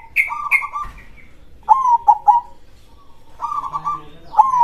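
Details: Zebra dove (perkutut) with a loud krosing song: several rolling, bubbling coo phrases, and some higher clipped notes at the start.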